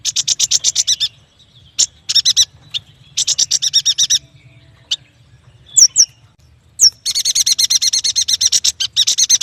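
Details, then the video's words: Yuhina, the prenjak batu, in lively song: long runs of rapid, evenly repeated high chirps, about ten per second, broken by short pauses, single ticks and a few sharp downslurred whistles. "Suara burung yuhina"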